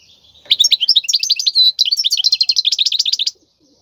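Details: European goldfinch, wild song for tutoring fledglings: a continuous, rapid twitter of liquid chirps that breaks into a steady run of evenly repeated trill notes, in quiet surroundings.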